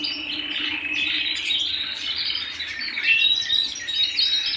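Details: Pet canary singing indoors: a busy, tumbling trill of high chirps that grows louder and brighter in its second half.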